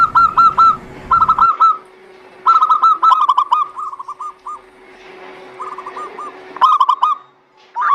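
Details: Zebra dove song meant to coax other doves into singing: loud runs of quick, ringing, curved notes alternate with softer, more distant replies, with a low hum underneath.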